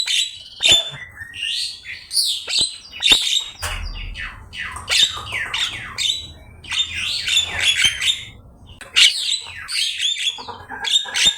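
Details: Javan myna singing on a master training recording: a long stream of loud, harsh squawks, rattles and high shrill whistles, densely repeated with brief pauses, with a low rumble in the background midway.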